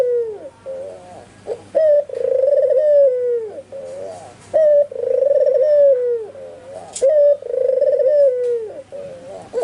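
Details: Repeated deep coos of an albino white ringneck dove calling constantly; each begins with an abrupt short note and swells into a long vibrating tone that falls away, four cycles, while nearby spotted and zebra doves are said to respond.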